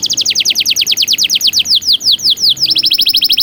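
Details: Canary training song: a fast series of about thirty loud downward-swept whistled notes, steady in rhythm, shifting briefly in pitch near the end.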